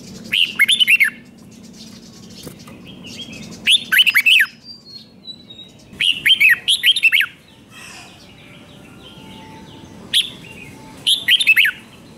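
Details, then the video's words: Red-whiskered bulbul repeating its doubled five-syllable song, used to teach young birds, in five lively bursts of bouncy whistled notes every two to three seconds, with soft twittering and a low hum between. "เสียงนกกรงหัวจุกเบิ้ล2 เบิ้ล3 เพลง 5 พยางค์"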